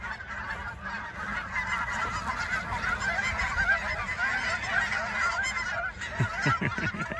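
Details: A flock of geese taking flight after being chased, a dense chorus of overlapping honks throughout, with a few deeper thumping sounds near the end.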